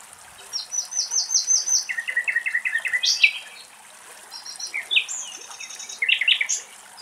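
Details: Common nightingales singing deep in a Greek forest: a run of rapid repeated whistled notes, then a lower stuttering series, a sharp rising flourish, and after a pause more varied whistles and buzzy trills over faint background hiss.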